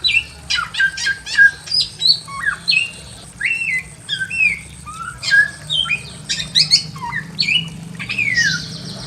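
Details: In a simple aviary a Pekin robin sings busily: bright whistled phrases of swooping and falling notes, broken by quick sharp clicks and short pauses, over a soft low background hum.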